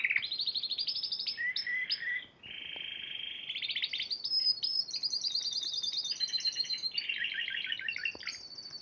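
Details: Spanish Timbrado canary that won at the Piala Raja song competition, March 2014, singing a continuous run of rolled, metallic trills and clear high whistled notes, changing pitch between phrases with barely a break.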